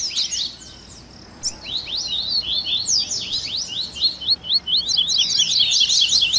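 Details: Captive-bird warm-up recording of Double-collared seedeater baderninha song: a high opening burst, a short pause, then a lively run of quick sweeping notes ending in a dense chatter.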